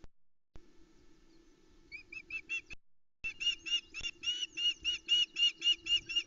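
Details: Osprey chicks at the Loch Arkaig nest give shrill, whistled squeaks about four times a second, rising to an excited run as feeding begins after the male delivers half a trout around 04:08 on a misty morning, 28 June 2020. A steady low electrical hum runs underneath.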